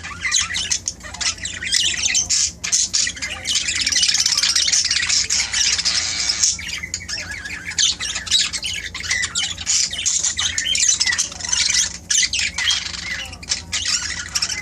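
Budgerigars keep up a dense, scratchy chatter of squawks and high warbling chirps.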